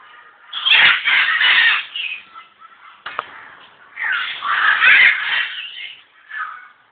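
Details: African grey parrot kept at Alipore Zoo, Kolkata, India, giving long, grating squawks in two bursts separated by a brief pause, each burst rough and noisy with uneven rises and falls.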